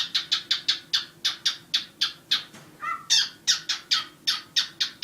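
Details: Pet cockatiels, a black and a white bird kept indoors: rapid, regular harsh squawks repeated about four times a second, broken once by a brief lower chattering note before the rasping series resumes, over a soft background hum.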